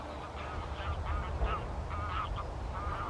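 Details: White-fronted geese at Wimpole Hall, Cambridgeshire, on 17 December 2020, giving repeated mid-pitched, slightly yelping honks at intervals of about half a second, over steady low rumbling background noise.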